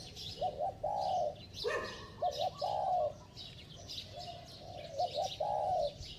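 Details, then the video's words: Spotted dove singing in a bell-like voice with rapid cooing, giving short rounded coos in quick groups, some paired, plus a brief higher note near the middle and soft twittering of other birds in the background. "Tiếng Chim Cu Gáy Giọng Chuông, Kèm Thúc Gù Tốc Độ"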